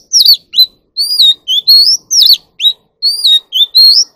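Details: Caged magpie robin practising competitive song: loud ringing whistles, some rising, some dropping steeply, delivered in quick separate bursts about every half second, the phrase sequence repeating.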